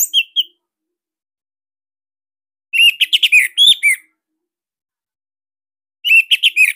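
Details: Orange-headed thrush from Bali giving a tight, loud song used to train other cage birds; brief bursts of quick rippling whistled notes separated by long silent gaps of about two seconds.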